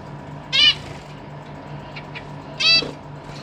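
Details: Zebra finch in a captive family group with recently fledged young gives two loud, nasal, trumpet-like calls about two seconds apart, with faint short chirps between them over a low steady hum.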